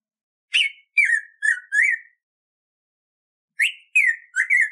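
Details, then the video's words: Training song of the black-throated grosbeak for teaching captive birds: a phrase of four clear, loud whistles, a pause of about one and a half seconds, then a second similar phrase cut off at the end, on a clean background. "Canto do BICO DE PIMENTA para Ensinamento e Treino (Pimentão)"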